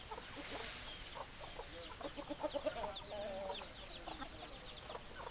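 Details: Chickens in a flock, with dense high descending peeps over soft low clucks and a short harmonic call near the middle, many birds calling at once against a steady background hiss.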